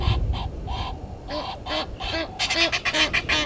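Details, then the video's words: Egyptian geese in a dispute with intruder geese at Gowrie dam waterhole, Djuma Game Reserve, South Africa, 17:08 on 10/04/21; loud, hoarse, harmonic honks repeat rapidly, with harsh breathy bursts crowding together toward the end. "Egyptian Geese having dispute with intruder Geese"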